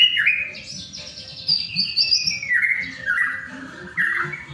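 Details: White-rumped shama song meant to prompt other shamas into song: long, flowing whistled phrases that glide downward in steps, with a bright high strand above and a fresh phrase near the end.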